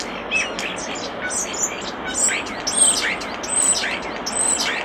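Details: Common starling singing by a nest box: a dense, near-continuous medley of high thin whistles, sharp clicks, chirps and quick downward slurs, layered over a steady hissy background.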